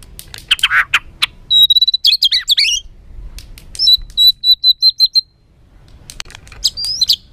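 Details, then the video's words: Agitated white-rumped shama song meant to rile other birds: harsh buzzy notes, a long thin whistle with twisting phrases, then a run of high clipped whistles and a final rising phrase. "Materan kasar MURAI BATU penuh emosi...pacingan burung agar cepat emosi"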